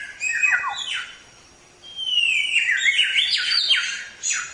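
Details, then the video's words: Training song of a Samyong for teaching other songbirds: short squeaky notes, a quiet gap, then a long rising-and-falling run of clear whistles and rapid chattering trills ending in a sharp burst. "Suara Burung Samyong | Gacor"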